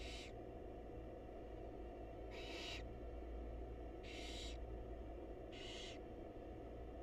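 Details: Barn owl nest box with wild birds during a feeding by the mother; four fainter, rough hissing bursts spaced one to two seconds apart, partly masked by strong low droning hum.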